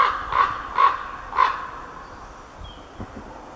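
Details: A male common raven (Corvus corax) gives four hoarse, croaking calls in about a second and a half, then falls quiet, with a female calling in the background; a faint, thin whistle follows.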